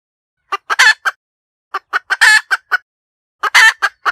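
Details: Three cackling phrases from a hen, each made of two or three short clucks, a loud harsh extended squawk, then a couple of closing clucks, spaced about a second and a half apart.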